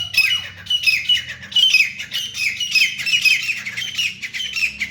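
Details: Grey francolin, known locally as teeter or grey partridge, heard while fighting: a continuous run of rapid, shrill, squeaky squawks, densely packed and high-pitched, with no pauses across the whole stretch.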